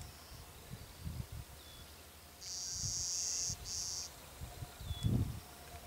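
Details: A male Clay-colored Sparrow at Glacial Ridge NWR, Minnesota, on 18 May 2010, sings two flat, insect-like high buzzes, a long one then a short one, over low wind rumble.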